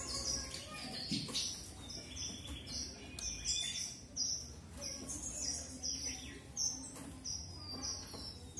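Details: Red avadavat, or strawberry finch, singing repeated high sharp whistled notes with thin twittering between them, irregularly spaced over several seconds, over a soft low hum.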